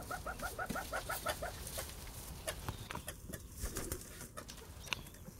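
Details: A young Black Shoulder Indian peafowl gives a quick run of about eight short, nasal honking notes in under two seconds, then falls quiet against scattered knocks and rustling.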